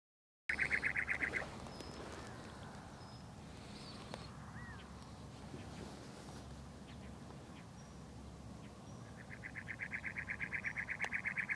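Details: A cactus wren perched on cholla in McDowell Mountain Park gives a harsh, rasping chug-chug-chug series, rapid and even, at the start and again near the end, over low rumbling background noise and faint chirps.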